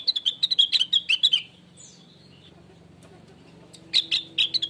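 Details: Blue-winged leafbird (rengganis, cucak wilis) natural song used as a lure to make other birds sing: rapid bright chirps and short whistled notes, about two per second, a pause of silence, then the quick chirping resumes.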